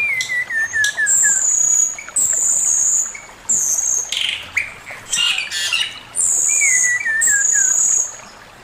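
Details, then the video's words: Male Chinese hwamei delivering master song: stepped descending whistle series, very high drawn-out whistles repeated several times, and bursts of rich rapid warbling, each phrase separated by short silences. "Burung poksay mandarin suara masteran Poksay mandarin jantan"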